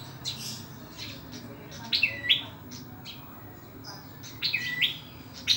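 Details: Ashy tailorbird from Indonesia, praised for its loud voice despite its small size: sharp high chirps, each dropping into a short flat note and then rising again, given in pairs with pauses between, over a low steady hum.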